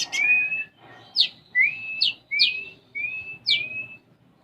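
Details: Singing caged konin sunbird with sparrow-style filling: long thin level whistles alternating with steep rising whistled slurs, about five phrases in quick succession.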